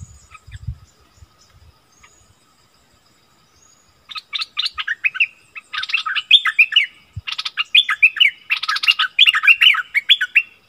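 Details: Wild striated bulbuls in a heated exchange, 8 February 2021. A few seconds of near quiet with faint low thumps, then a run of rapid bubbly notes with warbled slurs continuing to the end.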